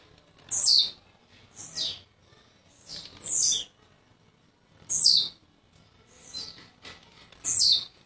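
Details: A newly arrived blue-black grassquit from Jacarepaguá, Rio de Janeiro, gives short, high, buzzy descending bursts, each a sharp wheezy zip, roughly one every 1.3 seconds.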